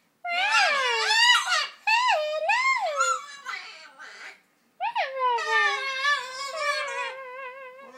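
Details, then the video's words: A macaw's fuzzy attempt at mimicking speech: several bent, swooping tonal syllables, a brief silence, then a sharp downward note followed by a long wavering, slightly rising voice-like phrase. "Macaw talking"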